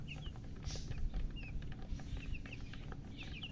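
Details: Newly hatched chicks giving scattered high, slurred peeps, a few at a time with gaps between, partly masked by heavy low-pitched rumbling and knocking noise.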